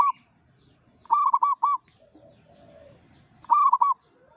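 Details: Zebra dove of the local perkutut type sings energetically. It gives two clipped phrases of rapid, bouncy cooing notes, with quieter low murmuring in the gap between them.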